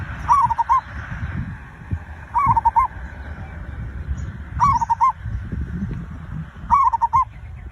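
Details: A lure zebra dove's song for prompting other birds: four phrases of quick, bouncing, clipped coos, each about half a second long, repeated every two seconds amid faint low background rumble.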